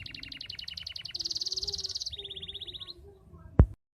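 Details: Canary performing a quick chopped trill, then a sustained rolling buzz and a lower rattling trill, meant to stimulate non-singing canaries; ends with a sharp click.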